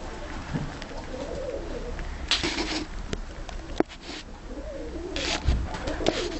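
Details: Several tumbler pigeons inside their loft give low, throaty coos in two bouts, early and near the end. Between them come loud clicks, wing flutters and scraping, with constant low-frequency background noise.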